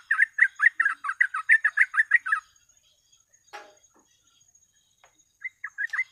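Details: Yellow-vented bulbul (trucuk) in full, rapid 'ropel' song used as a lure: a fast burst of about a dozen bubbly, chattering notes, then a short pause with a single click, and a few more notes resuming at the end.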